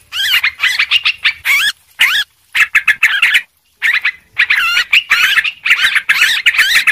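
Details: Sooty-headed bulbul calling busily for bird luring: bursts of harsh, warbling chatter with bending notes, separated by brief gaps and one clear pause midway.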